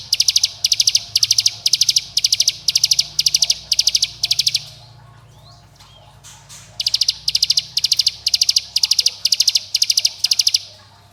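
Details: Bar-winged prinia in dense 'bren rapat' style, a lure meant to make young birds sing and rivals agitated: rapid high pulsed trill bursts, about two per second, running continuously, pausing near five seconds, then resuming steadily.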